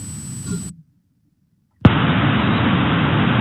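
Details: Low rumbling background, then a second of silence, then a sharp pop followed by loud, even hiss, with no animal calls.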